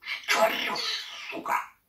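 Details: A pet parrot scolds the cat and its owner in harsh, raspy imitated Russian speech, a long grating phrase, then a short clipped burst about a second later.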